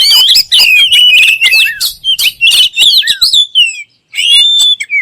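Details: Oriental magpie-robin song: quick, tumbling phrases of warbled whistles and sharp ticks, followed by a short silence, then a long, clear, level whistle and a few final notes.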